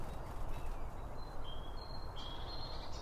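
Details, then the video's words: Feeding birds at a seed feeder, captured binaurally with two microphones: a short run of high, pure whistled notes stepping slightly up and down, over a low ambient hum. "BIRD FEEDING SOUNDS"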